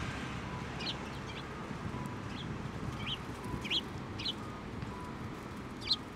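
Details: Sparrows at a Tenmangu shrine on 7 November 2023, flying onto a hand to be fed; faint short chirps repeat every half second or so over steady low background rumble.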